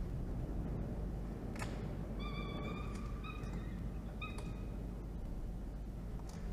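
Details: Peregrine falcon in a nest box on a water tower in Orange, NSW, Australia, midday 24 October 2021 while the chick is fed: three short harmonic whining notes in quick succession, half-masked by a heavy hiss.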